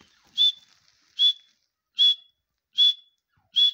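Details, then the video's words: Grey francolin, known locally as teetar, calling in a steady series of short high whistled notes, each a brief burst ending in a level tone, repeated about every 0.8 seconds against a silent background. "Partridge Voice | Teetar ki awaz | Grey Francolin"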